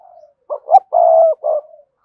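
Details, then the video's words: Spotted dove in the cườm sa coo style, meant to prompt rival doves to coo. A soft lead-in, two quick low notes, a long steady hoot and a shorter final note that trails off. "cu gáy thúc gù CƯỜM SA, cu gay kich boi nhanh noi gù"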